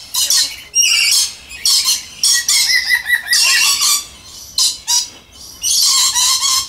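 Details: Moluccan red lories of pure subspecies screeching loudly and almost continuously, with harsh rasping bursts and squeaky, warbling notes.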